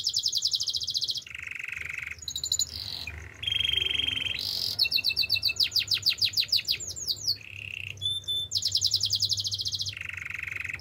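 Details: Male canary in full song, alternating bright buzzy rolls at different pitches with fast chopped trills of sweeping notes and a few clear whistled tones.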